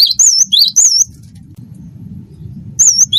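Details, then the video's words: Cinereous tit of the wingko type singing vigorously as tutor song: clear, looping, high whistled notes repeated roughly three per second, a pause with low hum, then the whistles resume. "gelatik batu wingko gacor masteran burung gacor"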